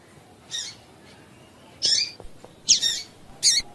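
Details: Female double-collared seedeater giving calls that prompt males to sing: four harsh, high, squeaky bursts, the last three close together within two seconds, with faint knocks behind.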